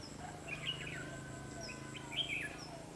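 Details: A red-whiskered bulbul trades fighting song at a lure-bird trap on 21 December 2015. Two lively phrases of bright, slurred whistles rise and drop, backed by a steady insect buzz and low hum.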